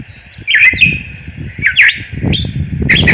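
A Gray Catbird sings a jumble of squeaky, chirpy phrases that shift in pitch, each different from the last, over a low background rumble.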